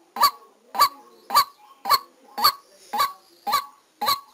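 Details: Caged decoy white-breasted waterhen recorded during a trapping session in Vietnam, giving eight strident, nasal honks at a steady pace of roughly two per second, each note rising briefly before breaking off.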